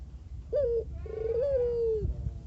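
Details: Collared dove of the mata geni variety, described as singing very actively: a short bending coo, a brief pause, then a longer steady coo that slides down at the end, over a low background rumble.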